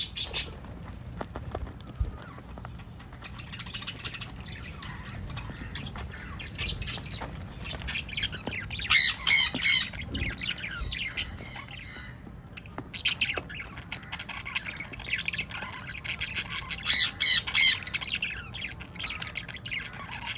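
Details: A sun conure breeding pair gives loud, harsh squawks in short bursts over a steady background of softer bird chatter.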